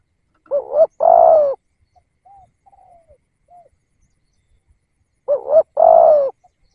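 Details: Spotted dove serving as a lure for wild doves, two phrases about five seconds apart, each a wavering rising coo then a long falling coo, with very soft short coos trailing between them.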